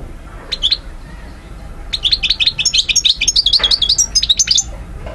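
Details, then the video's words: European goldfinch singing in Algeria, 2012: a short twittering burst, a pause, then a fast run of bright, high tinkling notes with buzzy elements, fairly clean background. "Vidéo Carduelis* chardonneret* jilguero* حسون alger ( Algeria) DZ 2012"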